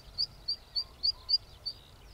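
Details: Song of a zitting cisticola, a run of six clipped, high-pitched zit notes spaced roughly a quarter second apart in a quiet setting.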